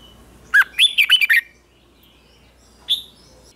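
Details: Red-whiskered bulbul trained to sing in the morning for contests, delivering a quick run of slurred whistled notes, followed after a short pause by one lone rising note.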